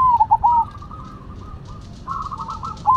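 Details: Zebra doves of the Cemani and Silver varieties singing against each other. A short burst of fast, bubbling coos opens, then softer overlapping cooing phrases follow. A faint rhythmic high ticking runs in the background.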